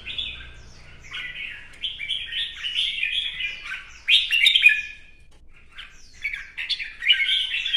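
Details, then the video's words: Red-whiskered bulbul in competitive song with a fanning display, delivering distinct rising whistled phrases in quick series, a louder burst near the middle, a short lull, then more bright phrases. "CHÀO MÀO | CB Quạt Mo chiếc áo mới hót đấu múa xòe"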